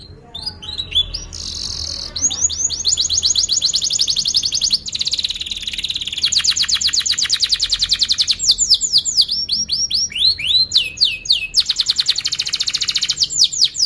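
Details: Long canary lure song aimed at training young birds and reviving quiet ones: chains of fast rolling trills in several pitches, buzzy passages, and bursts of swooping chirps, nearly continuous.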